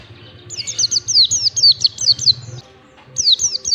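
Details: Ngalas-style mountain white-eye song used as a training recording: a long rapid run of about ten shrill, descending whistled notes, a short pause, then the series starts again, over a faint low hum.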